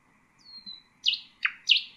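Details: Nightingale song for teaching young birds: a thin falling whistle followed by three loud, sharp, slurred high notes, each separated by a short pause, in a quiet setting.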